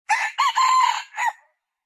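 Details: Harsh crow of a red junglefowl, about a second and a half long, with a short start, a rising second part, a sustained rough note and a detached brief ending.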